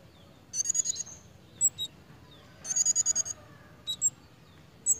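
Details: A pied fantail in breeding condition gives two quick runs of sharp, high, squeaky notes, each run about seven notes long, with isolated thin high chips in between.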